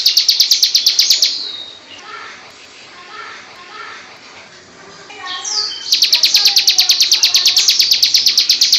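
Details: Loud ngebrem-style song of a female bar-winged prinia: a rapid, regular train of high sharp chips for about a second, a quieter stretch with faint background voices, then the fast chipping resumes strongly to the end.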